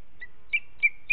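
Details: Booted eagle fledgling in July at a breeding area in the Ports, flying from branch to branch and asking the female for food at the nest: three high, clear whistled notes roughly every 0.3 seconds, each ending in a short held tone.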